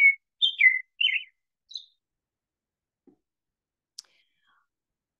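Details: American robin song, which is said to mean 'mine' in claiming territory, mate and home, and to follow a 'cheer up, cheerio' pattern. Four short, clear, whistled phrases rise and fall in quick succession, followed by silence and a few faint clicks.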